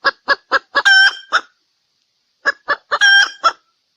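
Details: Female red junglefowl from Sumatra, recorded as a lure call: four short, evenly spaced clucks, then a louder, harmonic, drawn-out note with a quick tail. After a pause the same cluck-and-call pattern repeats.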